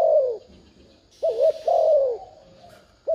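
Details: Spotted dove used as a decoy to provoke wild doves, making a thúc gù urging coo: a falling coo, then a quavering note and a long sliding coo, with a brief hiss overhead.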